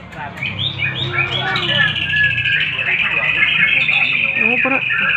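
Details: White-rumped shama song used as sharp-sounding training material for competition birds: dense, fast run of varied whistled notes and rapid trills, climbing into a sustained high ringing stretch, with a low hum underneath at the start.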